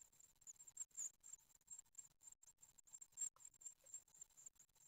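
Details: Great tit nestlings at an Ostwald nest during feeding on their ninth day, 15 June 2020, filmed by webcam. A continuous chorus of shrill, very high-pitched squeaks, some strained, with faint shuffling.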